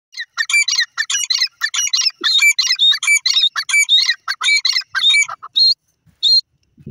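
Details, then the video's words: Wild grey francolin calling: loud, harsh, repeated multi-note phrases in rapid series, about one and a half per second, with squeaky high harmonics, fading to a few separate notes near the end. "wild grey francolin awaz,pheasant teetar ki boli"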